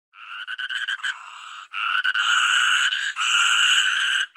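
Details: Toucan calling: a series of short, raspy, nasal croaks that merge into two longer, harsh, buzzing rattles, each lasting about a second, against a quiet background.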